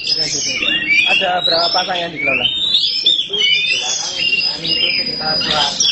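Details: Black Oriental magpie-robin song: loud, rapid high whistles with rising slurred notes and scratchy trills, accompanied by a man talking in the background.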